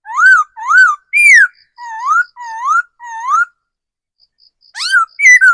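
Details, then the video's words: Laughingthrush used as a decoy bird, mature and forest-bred, pouring out six ringing upslurred whistles in quick succession, then after a short gap a rapid mix of bright rising and falling whistles. "Tiếng chim khứu mồi già rừng"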